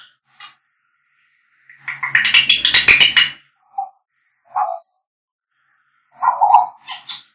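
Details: African grey parrot sounds: a harsh, buzzy burst of rapid squawking for about a second and a half, then scattered short whistled and chattering notes separated by silences.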